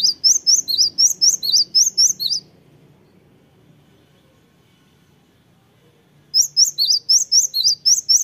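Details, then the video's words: Repeated high, piercing chirps from a Cinereous tit in two bouts of about nine notes each, separated by four seconds of near silence with a faint low hum in the background. "sekali putar langsung nyaut gacor. gelatik batu"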